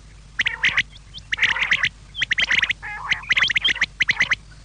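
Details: Quail calling, a recording meant for evening use: harsh, squawky bursts of notes arrive in quick clusters with short pauses between them, against a steady low hum.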